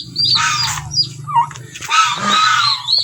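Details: Backyard domestic turkeys give rough squawking calls in two main bursts over a steady low rumble, with a few short higher notes between them.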